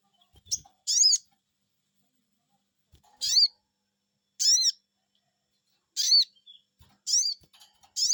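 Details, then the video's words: Repeated high arched 'cuiit' notes from a crimson sunbird drawn in by a lure call, given every second or so, with faint taps in between. "Cuiit cuiit,,pancingan burung sogon bikin resfon,,,langsung nyaut"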